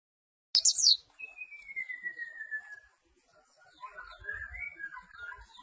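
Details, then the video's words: Perci bird singing: a burst of sharp high chirps, then a long clear whistle that slides slowly downward, followed by a jumble of varied short warbled notes, with faint low background noise. "Suara Burung Perci"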